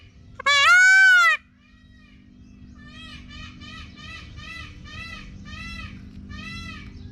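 A peacock gives one loud, drawn-out nasal scream lasting about a second. Then comes a run of seven softer, shorter wailing notes, roughly one every half second, over a faint background hum.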